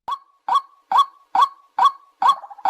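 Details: A white-breasted waterhen, a bird of marshes, ponds and overgrown canal edges heard at dawn or dusk, gives loud, resonant croaking notes in a steady rhythm, about two per second, with no other sounds.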